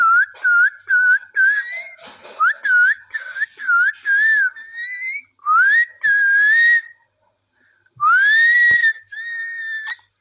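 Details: Parrot talking with its owner, producing a fast series of short looping whistled notes, about two per second, followed by longer upslurred and level whistles with faint overtones and a brief gap before the final notes.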